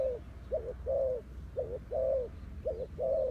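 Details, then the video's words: Spotted dove used as a decoy for luring wild doves, cooing in repeated soft low phrases, a brief note then a drawn-out warbling coo, against steady low background hum. "The Sound Of Spotted Dove is so good"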